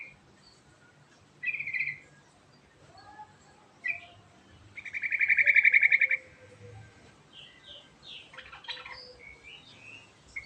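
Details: Sooty-headed bulbul giving its rolling ngerol song: a few separate bright chirps, then a loud, fast, even trill of over a second, followed by quick rising and falling whistled notes.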